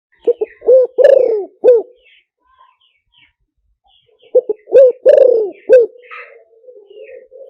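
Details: Spotted dove lure call for wild doves, a clear wild three-part cooing style: two bursts of deep, rounded coos with short stuttering notes, separated by a pause of about two seconds.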